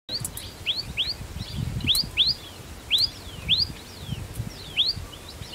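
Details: A common tailorbird gives its type 3 call, repeating loud, sharp rising notes, about two a second, high-pitched and emphatic, over a low rumble of background noise.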